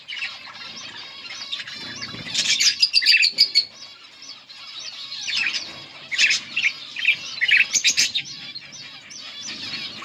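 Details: Yellow budgerigar pair chirping: a constant background warble with louder bursts of rapid chattering chirps and clicks every few seconds.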